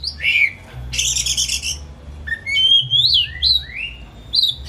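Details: Home-kept white-rumped shama in a cage, song played to coax another shama into singing: a scratchy burst, then a string of clear rising and falling whistled phrases in quick succession, low hum throughout.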